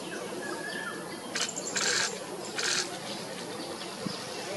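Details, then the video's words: A Sunda pygmy woodpecker gives three short, harsh, buzzy bursts about half a second apart against a steady hiss of background noise. "Sunda Pygmy Woodpecker"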